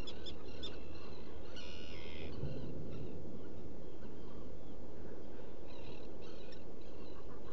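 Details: Black guillemot calling inside a nesting burrow among rock crevices at Seal Island, Maine, in mid-June at dawn; a harsh buzzy call around two seconds in, with fainter clicks and a steady low rumble of surf or wind throughout.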